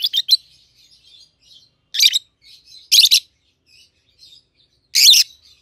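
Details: Harsh shrill chirps spaced about a second apart over a faint murmur of soft twitters, from two peach-faced lovebirds kept together since hatching, red-headed green opaline and red-faced dark green, 7-8 months old.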